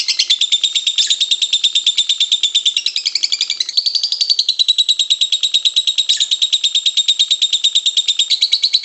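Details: Lovebird in nonstop long ngekek, chattering used to teach and stimulate other lovebirds: rapid, regular, scratchy pulses, about two to three a second, forming a continuous shrill stream with small pitch dips and rises.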